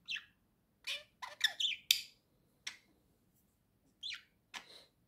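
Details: Domestic budgie perched on a swing chatters in quick scratchy chirps and clicks, some bunched in rapid pairs, then a few spaced squawks; a person speaks just before.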